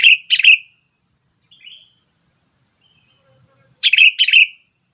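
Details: Sooty-headed bulbul calling as a trapping lure to stir up predators: paired, liquid chirps at the start, a soft short note, then another doubled chirp after a pause.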